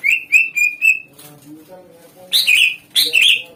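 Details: Lure song of a greater green leafbird meant to provoke other birds into replying: four clear, slightly falling whistles, then a pause and two loud, rough, buzzy bursts, with a faint low hum behind.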